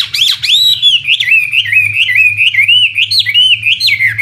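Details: A contest-bred imported Chinese hwamei gives loud, clear, fluty whistled phrases, each note slurring up and down in quick succession, rich and melodious, over a faint low hum.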